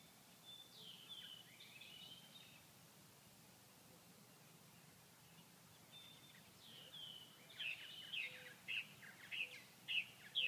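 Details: Purple martins at Grand Forks, North Dakota, on a cold 39°F day when no flying insects were out and the birds could not feed, sitting inactive; a few scratchy chirps early, then a burst of short gurgling notes near the end.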